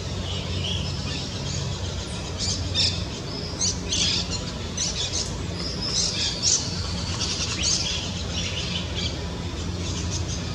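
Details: White-winged parakeet in the Brazilian Amazon. There are harsh, scratchy, high squawks in short irregular bursts, roughly one a second at times, over a constant low rumble.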